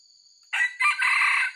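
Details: Red junglefowl with white legs crowing as a trapper's lure: a clipped first syllable, then a drawn-out, harsh, level phrase, with constant high-pitched insect drone behind.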